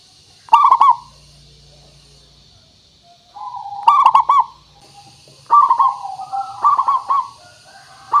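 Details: {'caption': 'Local zebra dove singing steadily as a lure for other birds: several clipped, rapid coo phrases come every two to three seconds, mixed with softer wavering coos in the gaps.'}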